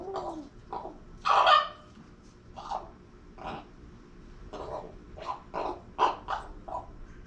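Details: Captive female common raven making strange vocal sounds that may be attempts at speech such as hello: one loud grating squawk, then a run of shorter rasping, gurgling notes in irregular succession, indoors.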